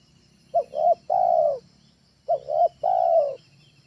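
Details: Spotted dove, a trained bird whose call serves as a lure: two quick soft coos leading into a long sustained coo, repeated twice in under four seconds, with low background rumble.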